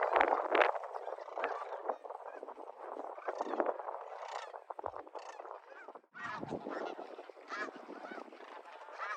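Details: A dense chorus of Sandhill Cranes overwintering by the hundreds at Whitewater Draw, a high-desert wetland in Arizona, gives overlapping rolling, trumpeting rattles without pause, over a low rush of wind that was turned down in the recording.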